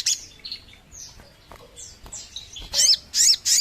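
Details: Sogon bird sound used as a lure for wild birds: thin, scattered high whistles and downslurred chirps, ending in three loud, harsh, high bursts.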